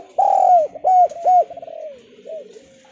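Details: Javan spotted dove calling as a lure for lazy doves; a long hollow coo then two shorter arched coos, trailing into faint softer cooing.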